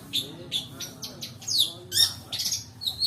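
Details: Long-tailed Shrike lure song with fill-ins: quick squawks, slurred whistles and a loud harsh burst, changing note type every fraction of a second.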